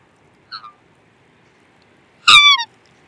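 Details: Black swan giving one loud, harmonic-rich bugling note about a third of a second long, sliding downward, preceded by a faint short double note.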